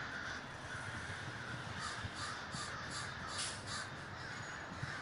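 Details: Crows at a large communal gathering in Davis, California: a dense chorus of harsh caws from many birds overlapping without pause, with steady low rumbling background noise.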